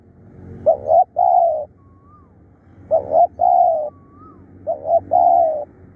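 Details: Spotted dove kept as a decoy bird, described as fierce and calling diligently: three low cooing phrases, each a quick stuttered double note followed by a longer drawn-out coo, about every two seconds. A faint higher whistle sounds between phrases.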